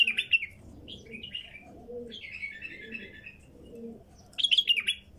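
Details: A wild female bulbul sings loud, bubbling whistled phrases at the start and end with softer warbles between, against a backdrop of regularly repeated dove coos.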